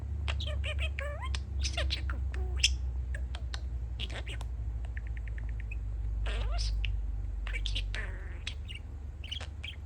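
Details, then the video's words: Male pet budgie chatting as construction noise drifts in from outside: busy run of chirps, clicks and short wavering squeaks, including a rapid ticking series, all above a strong constant low engine-like drone. "Talking Parakeet"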